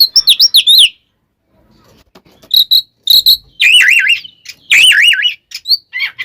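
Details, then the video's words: Oriental magpie-robin fighting song used to provoke other birds: rapid zigzag warbling trills, a quiet pause, then more wavering whistled trills and sharp chirps. "SUARA BURUNG kacer gacor NGEPLONG tarung KONSLET ini paling AMPUH buat PANCINGAN KACER agar EMOSI"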